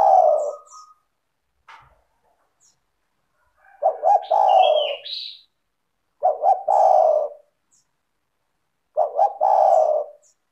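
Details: Clear, melodious Zebra dove song meant to prompt other doves to call back: short throaty cooing phrases repeated roughly every two to three seconds, one opening with a thin rising whistle, with quiet gaps between.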